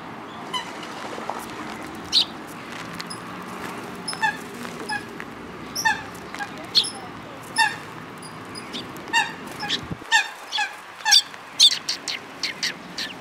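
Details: Sparrows by Mizukami Bridge, afternoon of 31 March 2022: a lively, fast, uneven series of bright, buzzy chirps. The calls grow denser and louder toward the end, over low background hum.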